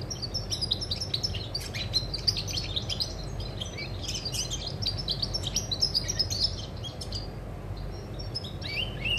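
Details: European goldfinch song from 20 August 2020, a fast jumble of liquid twitters and metallic chirps delivered in busy bursts, easing off near the end, with a steady low hum behind.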